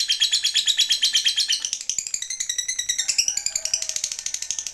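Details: Fighter lovebird calling a rival with its prized long ngekek: a continuous rapid, buzzy, high chatter of evenly pulsed notes, shifting slightly in pitch partway through without a break.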